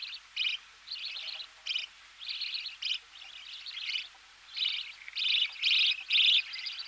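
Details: Budgerigar chicks fed in the nest, recorded close: a rapid irregular string of grating, buzzy chirps, some brief and clipped, others longer, growing louder toward the end.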